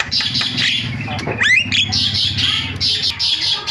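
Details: A starling call used to lure other starlings into calling: a continuous scratchy, noisy chatter with a quick series of rising whistled sweeps in the middle and a low background hum.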